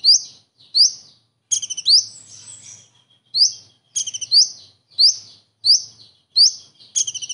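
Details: Common iora imitating a kingfisher, with the distinctive kingfisher shots: shrill upslurred whistles repeated roughly every half second, mixed with several short stuttered rattling bursts.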